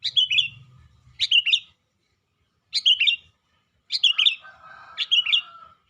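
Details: Caged sooty-headed bulbul singing actively in its cage: short bright chirped phrases, each a quick cluster of dropping notes, delivered in bursts about a second apart with brief pauses, plus a faint lower hum underneath.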